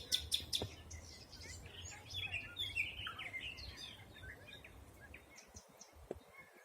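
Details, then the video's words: Forest birds singing in spring 2020: a few sharp loud chirps open, then softer warbling and whistled phrases fade toward quiet near the end, over faint low background noise. "Пение птиц. Весна 2020."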